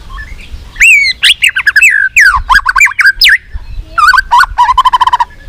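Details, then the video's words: White-rumped shama with a many-voiced song used to train other shamas: rich, warbling slurred whistles that rise and fall quickly in pitch, ending in a rapid fluttering trill. "Kích Chòe lửa hót nhiều giọng"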